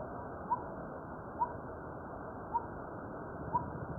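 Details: A crimson-breasted or coppersmith barbet repeats one short, hollow, hammer-like note, four times roughly a second apart, in an otherwise quiet setting.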